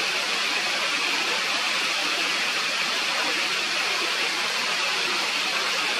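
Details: Steady rushing of a mountain stream fills the whole recording, with no animal voice standing out.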